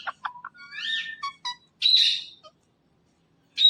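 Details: Indian ringneck parakeet kept as a talking pet, producing a few clipped chirps, a swooping nasal note and a harsh burst, then falling silent before one last squawk.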